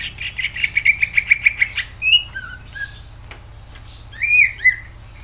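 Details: Greater green leafbird in energetic song: a fast series of bright repeated chips, then varied whistled slurs and a loud warbling phrase near the end; steady low hum underneath.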